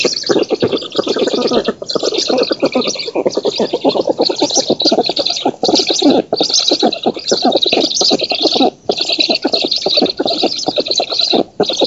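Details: Black storks at an oak nest in Poland, 19 June 2017, while the female feeds and an intruder is driven off; fast, rattling pulsed calls run continuously, with a hissy upper layer and brief pauses.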